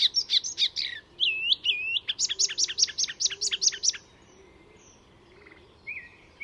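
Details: Icterine warbler, a master mimic, singing at a reserve north of Stockholm, Sweden; fast repeated chattering notes, a pair of slurred whistles, then a long run of rapid harsh chips before quiet and a faint later note.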